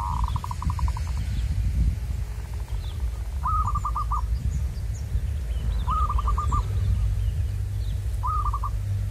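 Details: Wild zebra dove, recorded while birds are being lured, starts with a soft fading trill, then three crisp phrases of quick stuttering coo notes a couple of seconds apart, with faint chirps and constant low rumble behind.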